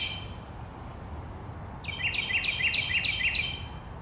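A Carolina wren gives five loud, rich, rolling phrases in quick succession, about three each second, over a steady high insect whine and a low background rumble.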